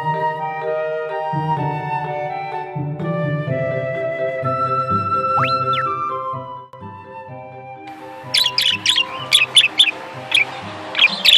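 Soft instrumental music gives way to a budgerigar's bright, rapid chirps, a quick run of high twittering notes near the end.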